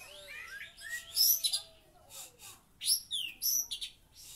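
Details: Oriental magpie-robin delivering kapas tembak–style mimicry: irregular clusters of very high, sharp chips and falling whistles separated by short pauses, over a faint low tone.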